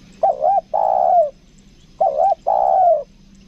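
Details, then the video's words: Two matching phrases from a 'kuk dua' lure spotted dove in Lombok, each a pair of quick wavering notes followed by a long downward-sliding coo, repeated after roughly two seconds. "PIKAT TEKUKUR KUK DUA"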